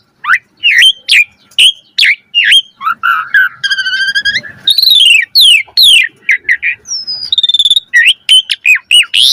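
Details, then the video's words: Asian pied starling in full varied song used as a master to prompt other birds: rapid sequence of loud whistles, sharp chips, a buzzy harmonic rattle and rising slurred notes, continuous and energetic, no background sounds. "Suara Jalak Suren Gacor Full Isian Variasi"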